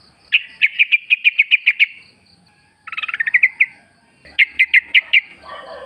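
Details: Sooty-headed bulbul, wild, recorded in the forest as a lure. About nine crisp repeated chirps in an even row, then a buzzy stuttered burst and another short series of chirps.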